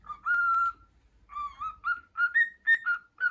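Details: Pet male cockatiel whistling the children's tune "Hato Poppo", still learning it: clear tonal whistled notes stepping gently up and down in short phrases, with small pauses between phrases.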